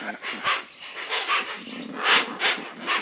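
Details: Hoatzin (Opisthocomus hoazin), a bird of Amazon and Orinoco swamps, giving harsh, wheezy hissing bursts, about six in three seconds, each rough and breathy, over a thin steady high whine.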